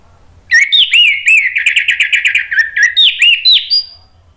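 An orange-headed thrush sings a loud, varied phrase: clear slurred whistles opening into a rapid run of high chattering notes, then more rising whistles, lasting about three seconds.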